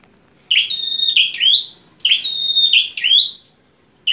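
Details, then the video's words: Bar-winged prinia singing aggressively with a fighter's temper: two loud, ringing phrases, each a piercing whistle followed by buzzy, rising rasps, about one and a half seconds apart, over a quiet background. "Prenjak Petarung Gacor Emosian"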